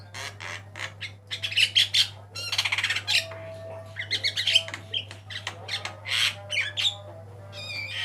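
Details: Javan myna, white-eyed type, in varied song for training cage birds: a dense mix of grating squawks, quick rattling series and short whistled notes, with a constant low hum behind.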